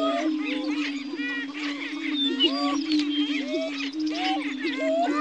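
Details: On a lek at Dunn Ranch Prairie in Hatfield, Missouri, state-endangered greater prairie-chickens boom in a steady, low, hollow drone, overlaid by busy cackles, whoops and rising squeals from several birds calling together.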